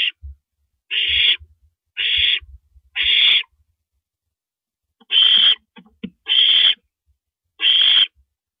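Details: Owl at 1:27 AM on April 9, 2012, while a female owl swallows a rabbit; harsh, hissing screeches of about half a second, repeated roughly once a second with short gaps, plus faint low knocks.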